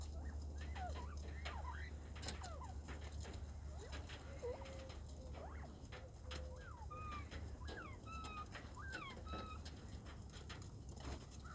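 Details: A quail in an aviary on 14 February, on a spring-like day, calls busily with short whistled chirps and rising and falling notes, some paired, over a steady low hum.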